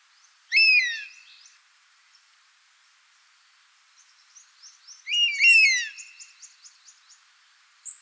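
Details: Wild buzzard, a bird of prey in natural habitat, giving two loud downslurred mewing calls about four and a half seconds apart, over steady high insect-like buzzing and scattered faint chirps of other birds.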